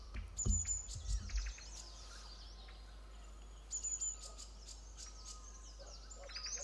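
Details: Green-backed tits calling as a yellow-throated marten eats their chicks from a tree nest-hole, the parents flying frantically in front of it; sharp high chirps in bursts, with low thumps and background noise.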